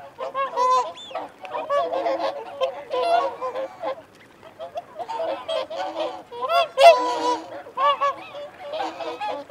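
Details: Whooper swans calling while feeding and holding territory, wigeon and mute swans nearby; bursts of overlapping trumpeting honks come in clusters, separated by brief quieter gaps around the middle.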